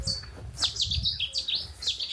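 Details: Cetti's warbler bursts into its sudden, explosive song of loud, rapid, ringing notes at sunrise on the Somerset Levels, UK, along a path beside a large dragonfly roost, where marsh frogs and cuckoos are also calling.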